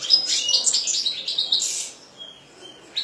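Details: Fast, high twittering song from a European goldfinch kept by a hobbyist: a dense run of tinkling, buzzy notes for about two seconds, then a few thin, quiet whistles.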